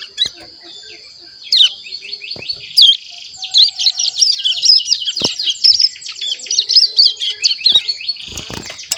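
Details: A captive Hill Prinia just over a month old practises its twittering subsong: a dense, rapid run of high, thin chirps and trills that start after a few scattered notes and continue steadily to the end, over a steady high hiss.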